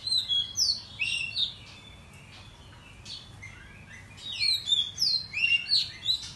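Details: Oriental magpie-robin in the morning, singing agitated lure song meant to excite other magpie-robins into tail-spreading display: rich, fast whistled and buzzy phrases with sliding, rising and falling notes in two dense bursts separated by a quiet pause.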